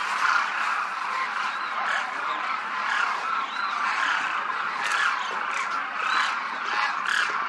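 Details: Demoiselle cranes in a big flock clouding the Rajasthan sky: a thick wash of crooning, gargled calls overlapping steadily, with slightly louder individual notes standing out now and then.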